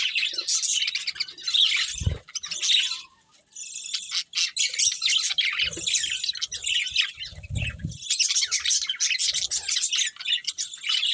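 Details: Colourful budgerigars eating and chirping: continuous bright, raspy warbling chatter from several birds, with a few low knocks and rustles underneath.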